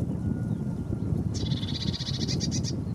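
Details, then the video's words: Lesser whitethroat: a rapid, dry, even rattle of about one and a half seconds over a steady low rumble of wind or distant noise. "Lesser whitethroat"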